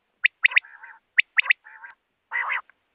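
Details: Quail (batair) calls intended for night use. Sharp rising whistled notes come singly and in pairs, mixed with lower nasal buzzy bursts and a longer harsh rasp near the end.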